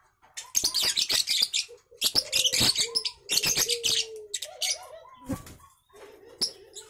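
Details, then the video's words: Three-month-old lovebird of champion lineage utters loud, shrill chatter in three main bursts separated by brief quiet gaps. Scattered short whistled notes come between them. "Burung love Bird Umur 3Bulan Durasi Panjang"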